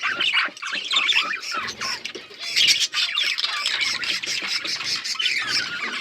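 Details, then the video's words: Continuous chirping of Australian parrots, a loud rolling warble of many overlapping high squeaks, whistles and harsh notes. "Beautiful Australian parrots video Birds chirping sounds"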